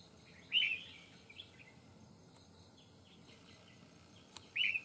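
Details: Red-whiskered bulbul in a fighting trap facing a wild bird: two loud, short, slurred whistled notes about four seconds apart, with a few softer chirps between them over a quiet background hiss.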